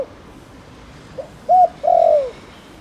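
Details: Spotted dove, a bird of rural rice fields, calling to stimulate other doves: a faint note, a crisp arched coo and a long descending coo, the final note cut off.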